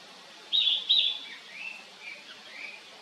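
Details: Narcissus flycatcher singing two loud high whistled notes, then several quieter, lower slurred notes trailing off over the next two seconds; faint background hiss.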